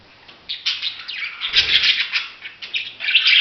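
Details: Budgerigar chatter: after a brief quiet start, a steady stream of rapid, raspy warbling chirps runs on without pause, rising in intensity at the close.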